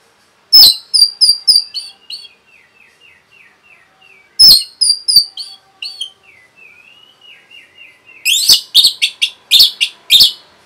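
Orange-headed thrush in rapid song: loud bursts of rich, high notes about every four seconds, each trailing into a softer, quick chattering run.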